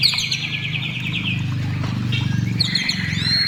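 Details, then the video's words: White-rumped shama singing to coax shamas into song; a quick, high repeated trill followed by whistled notes, over a steady low engine-like hum. "SUARA MURAI BATU GACOR MEMANCING MURAI BATU BIAR CEPAT BUNYI DAN GACOR"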